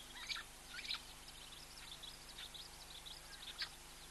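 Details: Helmeted guineafowl recorded close-up in Africa give harsh, grating calls in a few loud bursts, with softer chatter between.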